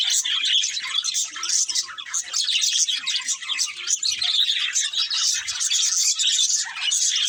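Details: Budgies twitter in a crowded, lively stream of high chirps and scratchy warbling notes, steady throughout with small swells in loudness.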